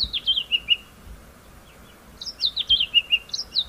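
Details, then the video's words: White-browed scrub robin giving its repeated phrase: rapid chain of high whistled notes sliding downward, one phrase, a pause of about a second, then two more phrases in quick succession. "7 White browed Scrub Robin calls"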